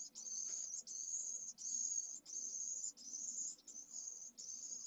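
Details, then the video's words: Hours-old pallid swift chick from a second brood demands food at a nest in Jerez de la Frontera, Spain, in 2022. Sustained high, hissing notes follow one another closely, roughly seven in under five seconds. "PRIMERAS CEBAS pollo de 2ª puesta - Vencejo pálido"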